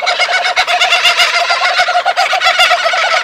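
A laughing kookaburra's raucous, rapid chuckling runs on without a break, a loud cackle of harsh repeated hoots several per second.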